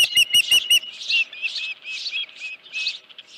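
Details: Osprey at a ranch nest, 31 July 2018 around 9:43 AM with a headless fish; four quick piercing chirps open, followed by softer, breathier repeated notes at a steady pace.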